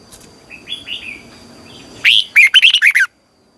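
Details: Red-whiskered bulbul, a morning training lure bird, gives a long double twisting phrase (giọng kép xoắn dài): a loud burst followed by about six rapid, bright, looping whistled notes after faint softer calls in the background.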